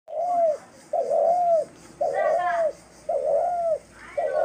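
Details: Dove recorded on March 28, 2024, giving five arched, mid-pitched coos in steady succession, roughly one per second, each note swelling and then dipping at its end, with short quiet gaps between them.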